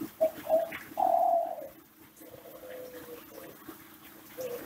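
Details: Master-style Kelantan cooing by a ringneck dove kept in Central Java: a few short coos and one long drawn coo, then softer, thinner notes over a steady low hum.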